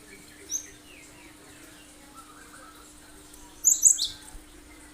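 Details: Cinereous tit (gelatik batu), a lure for getting other birds to sing along; one short high note early, then a dense burst of sharp, piercing notes near the end, with faint soft twittering between.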